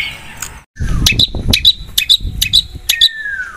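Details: ['Long-tailed shrike repeating a sharp double note over and over, about two per second, with a falling whistle at each end and low thumping noise underneath.']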